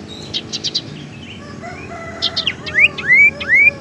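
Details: Tailorbird lure sound used to attract birds or stimulate singing: a few quick high ticks, a scattering of thin whistles, then loud rising whistled upslurs repeated about every half second. Soft low background hum.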